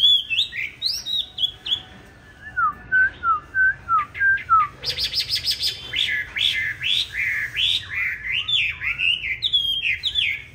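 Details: Fighting song of a green-bean-eyed Chinese hwamei used to train others to sing softly: high whistled phrases, a string of lower repeated slurred notes, a harsh buzzy stretch, then loud looping whistles.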